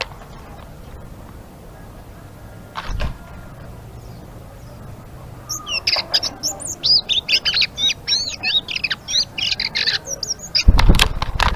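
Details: Following quiet knocks, a blue-winged leafbird starts its lively ngeriwik song: fast high chirps and twisting squeaks for about five seconds, ending in a loud bump.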